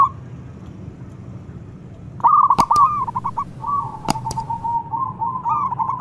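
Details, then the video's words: Zebra dove of a local strain calling, answered by a rival: stuttering coo phrases that run into long level rolling notes, broken by a few sharp clicks, with soft low background noise. "PERKUTUT LOKAL GACOR MEMANGGIL SEKALI DENGAR LAWAN LANGSUNG NYAUT"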